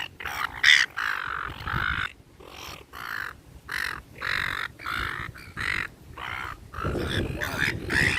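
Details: Gulls being fed in a park, a flock calling: harsh, nasal squawks repeated in quick bursts with short gaps, several birds overlapping, and low outdoor rumble underneath.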